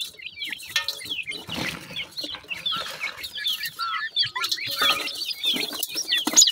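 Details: Black partridge chicks, newly hatched, giving a dense chorus of short, high chirps and curved peeps that overlap without pause, with brief wing flutters and rustling.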